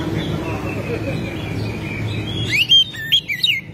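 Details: Oriental magpie-robin singing energetically, described as spreading its tail and showing its full repertoire; after about two and a half seconds of low background rumble, a burst of loud, clear whistled notes follows, with sharp rising and falling slurs in several quick phrases.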